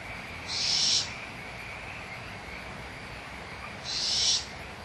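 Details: Barn owl owlets at Audubon Starr Ranch Sanctuary in a small quarrel over leftover food, mother close by: two rasping, breathy screeches about three seconds apart, softer than the steady high background drone.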